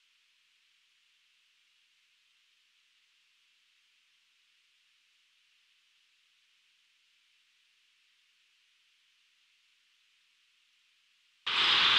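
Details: Only a faint steady hiss for eleven seconds, ending in a sudden loud burst of broadband noise, with no animal calls.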